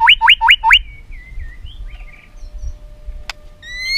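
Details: White-rumped shama singing a mimicry-filled song used to lure other shamas into singing: four quick, loud whistles, each rising sharply, in under a second, followed by faint, soft, warbled fragments and a short high tick.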